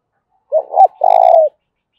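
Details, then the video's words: A spotted dove's fight-provoking call in the 'giọng thổ' voice style: a brief two-part coo that rises and dips, then a sustained, pulsing low coo trailing downward, in a quiet setting. "cu gáy thúc đấu, tieng cu gay kich boi nhanh noi. cu gáy giọng thổ pha"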